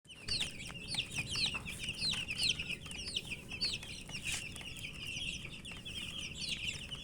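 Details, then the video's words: Several chicken chicks eating, giving dense high peeps in a continuous overlapping chorus of short rising and falling chirps, with faint pecking clicks beneath. "Murgi chicks Chirping sounds and eating"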